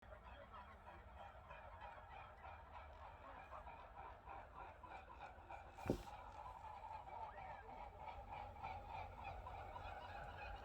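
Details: A flock of swans flying near a lake in autumn, heard from a bedroom window, gives a steady stream of overlapping honking, bugling calls over a low background rumble, with one sharp knock midway.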